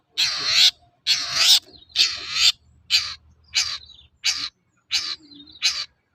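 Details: Long-tailed shrike in energetic toet-toet lure song, used to prompt reluctant birds to sing and answer: loud, rasping, broadband notes, roughly one a second, shortening toward the end.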